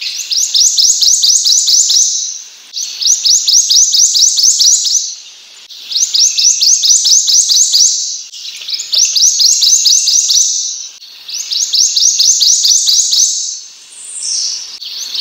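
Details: Repeated song of a Prothonotary warbler, five phrases over fifteen seconds, each a fast string of bright rising sweet notes, with brief quiet gaps between phrases.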